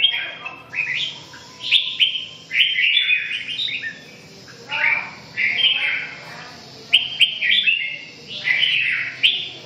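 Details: Red-whiskered bulbul repeating lively, slurred whistled phrases with chattering notes, about one phrase every one to two seconds, against constant low background noise.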